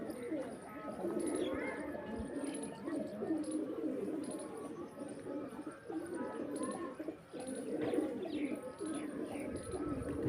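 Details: Pigeons in Pakistan, mostly males with a young one among them, give steady low throaty coos in overlapping bursts, a murmuring chorus broken by brief pauses and a few faint higher chirps.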